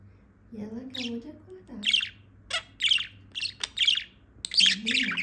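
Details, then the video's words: Female budgerigar warbles a string of scratchy chattering notes while a woman talks over the start and end of the bird's song. "PERIQUITO AUSTRALIANO PIANDO/SOM DE PERIQUITO"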